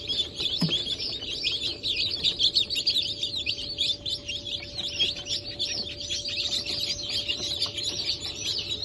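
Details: Newly hatched Brahma, Sultan, Sussex and Wyandotte chicks, hatch of 28 January 2024, keep up a loud, unbroken chorus of shrill falling peeps, with one brief low thump early on.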